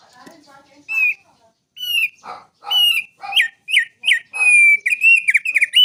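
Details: Wild-type mountain bar-winged prinia sings actively, its song filled with borrowed straw-headed bulbul phrases. After a few soft notes, bright whistles swoop and dip, then build into a rapid, continuous string of sharp, looping whistles.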